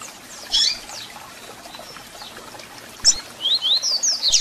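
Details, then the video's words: Double-collared seedeater song mixed with chip calls, played to excite and warm up a captive bird: a brief cluster of sharp, high chirps, a quiet gap of about two seconds, then a quick run of thin, slurred, high whistled notes. "Canto de Coleiro com Piado para Foguear e Esquentar Seu Coleiro ou Papa-capim!!!"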